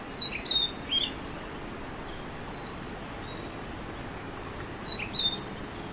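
An orange-billed nightingale-thrush sings two short bursts of high, squeaky, jumbled notes about four seconds apart, over a steady background hiss.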